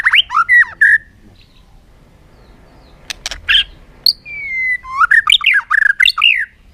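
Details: Bird sounds of an unnamed species: loud squawky, chirping notes with twisting pitch, a long level whistle near the middle, then rapid varied chattering calls toward the end, with a few sharp clicks.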